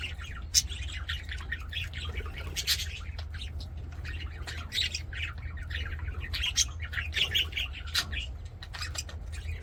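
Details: Aviary budgerigars singing and playing: intermittent raspy squawks and chattering chirps from several birds, moderately quiet, over a persistent low-pitched hum.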